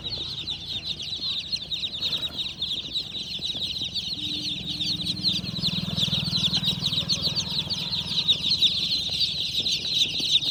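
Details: A crowd of tiny black-and-white chicks peeps constantly, a dense wash of high, shrill cheeps about three per second, with low murmuring voices behind.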